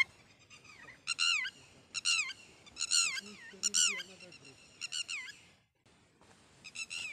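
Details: Red-wattled lapwing mother, known locally as Titehri, calling her baby from the nest near a school at Mount Abu: loud, piercing notes that rise and then drop, in clusters spread over several seconds, with a low murmur beneath them.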